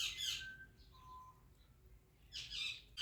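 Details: Rose-ringed parakeet, a ringneck talking parrot, giving two harsh, noisy squawks, one at the start and one near the end, with a faint thin whistle between them.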